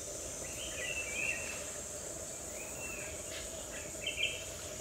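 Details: An Oriental dwarf kingfisher in forest of the Western Ghats foothills near Quepem, Goa, in May before the breeding season, gives three thin, high, squeaky calls spaced one to two seconds apart over a shrill insect drone.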